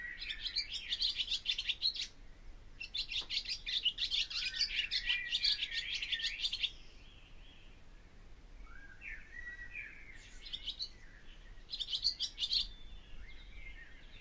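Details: Long barn swallow song sequence: about six seconds of continuous rapid twittering and chatter, then quieter warbled glides with two more short twittering bursts near the end.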